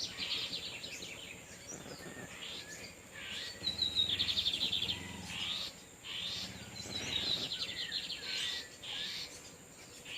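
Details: In the wild, lined seedeater males exchange torniado song as a female sits on her nest; high, rapid buzzy phrases come every couple of seconds, some with whistled rising notes, over a constant faint hiss.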